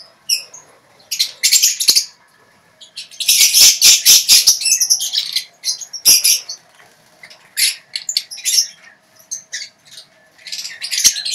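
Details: Lovebirds in a colony cage give ngekek chatter: bursts of harsh, shrill squawks and rapid scratchy notes, packed densely in several runs. Some sharp clicks and brief wing flutters are heard between the bursts.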